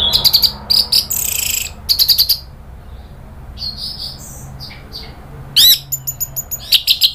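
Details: Orange-headed thrush (anis merah) from Indonesia, agitated into 'nratak' chattering then 'ngeplong' full song, used as a lure sound: bursts of rapid high chattering notes, buzzy rasping phrases and sharp whistled sweeps, with brief pauses between bursts.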